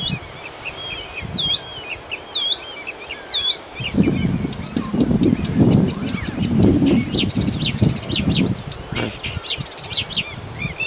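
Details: A stationary Blyth's reed warbler singing at Galtås just north of Glommen, Falkenberg, Halland, Sweden: a clear, swooping whistled phrase repeated three times about a second apart, then faster clicking, chattering notes over low wind rumble.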